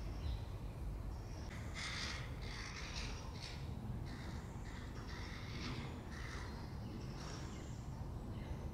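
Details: Crows feeding their 2022 young with peanuts give harsh, nasal calls in a run of short bursts about every half second. A steady low rumble of wind or traffic lies underneath.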